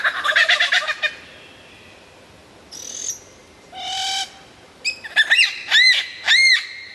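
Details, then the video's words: Lyrebird singing loudly and clearly: a fast pulsed harmonic rattle, then a high buzzy note and a low hum-like tone, then a quick series of arched, ringing whistles. "suara burung lyrebird gacor"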